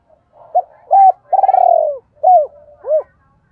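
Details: Spotted dove decoy with a 'double voice', calling to lure wild doves: a short coo, a level coo, a long vibrating downward-sliding coo, then two arched coos, over a quiet soft hum.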